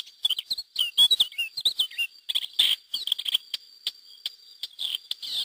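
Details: Wild Lesser Grey Shrike pair with chicks, released through hacking in 2009 in the Mas de Melons–Alfés SPA, Lleida, Spain; dense chattering, squeaky high calls and sharp clicks in quick irregular bursts.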